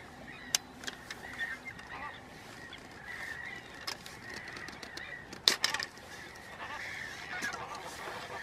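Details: Chilean flamingos in a courting flock at Laguna Negra de Trelew, Patagonia, Argentina, give a steady chorus of nasal, goose-like honks, with louder sharp calls rising above the murmur every second or two.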